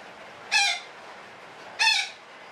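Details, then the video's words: Two loud, harsh squawks from a betet parakeet about 1.3 seconds apart, part of its long 'ngekek' call, with a low background hiss. "SUARA KICAU BURUNG BETET NGEKEK PANJANG"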